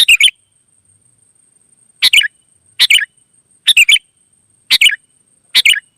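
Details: Kutilang, or sooty-headed bulbul, singing in the wild in busy 'gacor' style so others reply: a phrase, a two-second pause, then five quick bubbling three-note bursts under a faint electrical whine.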